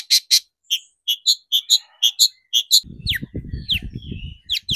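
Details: Excited long-tailed shrike song, played as a lure to stir other shrikes into song. Paired sharp chips repeat, then come slurred downward whistles over a low rumbling background.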